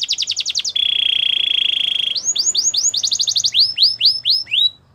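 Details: Canary training song to woo other canaries: a quick stuttering trill, a long steady low rolling trill, then a series of rising-and-falling whistled notes, with faint background hiss.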